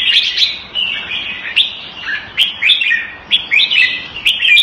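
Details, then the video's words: Caged red-whiskered bulbul in Singapore, kept Thai style, singing loud rich whistled phrases. The phrases rise and fall and repeat roughly every half second to second, with sharp clicks between them. "สิงคโปร์เลี้ยง นกหัวจุก - Singapore play Jambuls Thai style"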